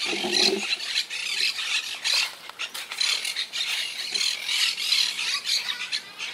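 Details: Wild Quaker parakeets in a colony that lost about half its members to hurricane Irma in 2017, living high in trees; many overlapping harsh, screechy squawks in quick bursts, a chattering flock din.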